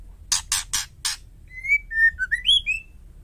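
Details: Female white-rumped shama, calling to provoke males: four rough, rasping clicks in quick succession, then a pure whistled phrase of level, falling and upward-sweeping notes.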